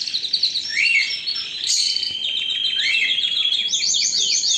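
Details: Singing canary: high chattering and a rising slur, then sustained rapid trills and finally quick descending high chirps repeated in a series.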